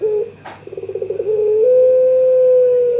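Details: Young Barbary dove of the pelung style calling its rival: a short coo and a click, then a fast throbbing roll running straight into a long, even, sustained note.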